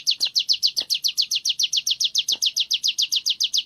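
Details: Sunda warbler (ciblek gunung) singing 'ngebren' during training: a continuous rapid chain of bright, high falling notes, very regular, close to four per second, with occasional faint taps behind.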